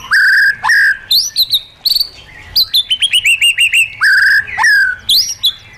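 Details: Caged-bird training recording of a White-rumped shama's forest-style song: clear, loud, fluting whistles alternating with sharp upslurred notes and a quick series of descending chips, in rich varied phrases.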